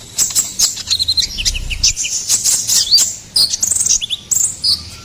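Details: Ruby-cheeked sunbird song used as a lure and master track for songbirds: rapid high-pitched chirps, twitters and thin trills in quick bursts, busy and continuous, with short pauses between phrases.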